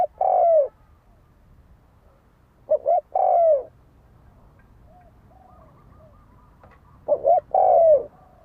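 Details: Spotted dove fighting call, used to excite a decoy bird, repeated three times with long pauses: a quick double note and a long descending coo. Faint thin whistled notes sound between phrases.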